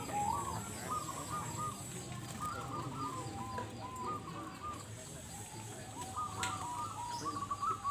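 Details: Competing zebra doves (perkutut) at a 2022 local bird contest in Bolorejo, Kalangbret, Tulungagung, East Java, Indonesia; several birds overlap in bubbly, repeated cooing phrases, with people chattering in the background.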